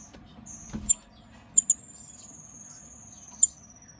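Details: Pair of blue-faced parrotfinches on a wooden perch: very high, thin, tinny whistles and sharp ticks, including one long drawn whistle sliding slowly downward for nearly two seconds, over a faint low background murmur.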